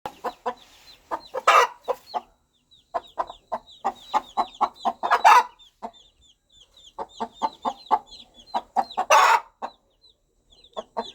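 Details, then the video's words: Mother hen calling her baby chicks with soft, rhythmic clucking in quick bursts of several notes, pausing between runs, while the chicks keep up a steady thin high peeping throughout. "Sound of Mother Hen Calling Her Baby Chicks"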